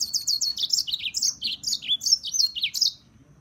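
A serin sings a fast, high, jingling run of tinkling notes lasting about three seconds, over a faint low hum.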